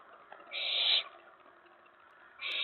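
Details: Owlet inside a nest box at night, 19 May 2017, excited after a mouse delivery as another owl lands on the tray outside; two harsh, hissing bursts about half a second long, nearly two seconds apart.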